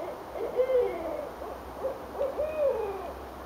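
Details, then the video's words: Owls answering each other in Richmond, Virginia, January 8, 2012: a loud drawn-out hoot, a brief pause, then short hoots leading into another long hoot that sinks at the end. "Owls Calling"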